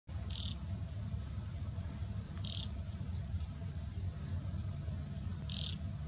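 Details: A taiga flycatcher at Chandlai Lake, Shivdaspura, Rajasthan, 7 November 2018, gives three short, very high, thin notes a few seconds apart, with fainter ticks between them, over a low steady rumble.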